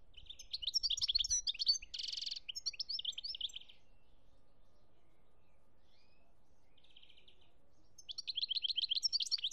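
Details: European goldfinch singing in Algeria, 2017: loud rapid twittering with a harsh buzzy rattle, a quiet stretch with one soft trill, then another fast bright jingling phrase.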